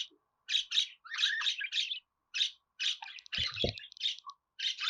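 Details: Continuous budgerigar warble of raspy chirps and chattering notes with clicky ticks, briefly overlaid by a couple of low thuds near the end.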